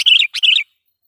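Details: Loud lure song of a sooty-headed bulbul meant to anger wild rivals: two quick, bright, warbling chirp phrases in just over half a second, then silence.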